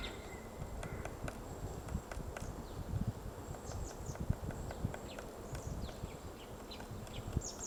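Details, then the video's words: White-backed woodpecker digging a nest in a tree at Gongsanseong Fortress, Gongju, Republic of Korea, on 22 March 2024 around ten in the morning; sharp irregular wooden taps and knocks, with faint high chirps of other birds. "둥지를 파는 큰오색딱다구리 White-backed woodpecker digging a nest"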